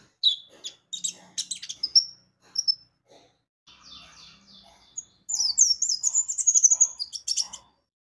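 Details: Javan white-eye used as a lure to make birds sing: scattered high chirps and faint twitters, then a sustained rapid warble of very high, tumbling whistled notes near the end.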